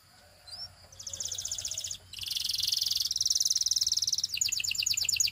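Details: Singing Belgian canary prompting other canaries to sing; a brief rising whistle leads into a high buzzy trill, then a long dense rolling rattle and a final run of rapid repeated chopped notes.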